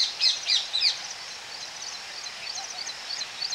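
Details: Close-up calls at a Baya weaver colony: three loud, sharp, sweeping chirps open the clip, followed by thin, rapid twittering in the background.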